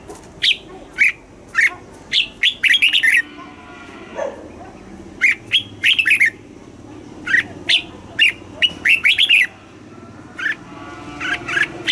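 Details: Caged red-whiskered bulbul delivering southern master-style song meant to excite other caged birds and teach young ones; many short, bright whistled phrases repeated every second or so, with brief gaps.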